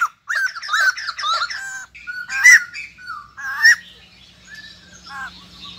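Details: Caged white-crested laughingthrush, a newly arrived wild-caught bird, utters a fast volley of scratchy chattering notes, then spaced single whistled and harsh calls fading into quieter chatter.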